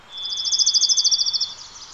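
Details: A Varied Thrush, one of two singing by a lupin meadow next to a highway, sings one long, steady, buzzy whistled note of about a second and a half over faint hiss; Varied Thrush.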